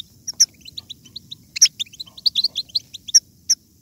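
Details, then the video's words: European goldfinch singing a batbata, a song used to stimulate goldfinches to sing strongly: scattered high twittering notes with sharp, bright chirps at intervals and short pauses between bursts, over a faint low hum. "بتبتة الحسون ~ بتبتة جيدة لجعل الحسون يغرد بقوة !"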